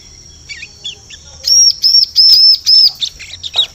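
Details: Lure call of a bar-winged prinia, used to attract birds in forest: soft scattered chirps, then a run of five loud, high arched whistles, trailing into short faint notes.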